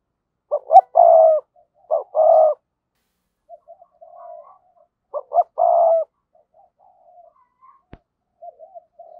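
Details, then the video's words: Spotted dove decoy bird calling, giọng thổ style; three cooing phrases of clipped notes and a long coo, separated by soft murmured notes and a single sharp click. "Chim Cu Mồi Gáy Gọi/ cu gay kich boi nhanh noi gù"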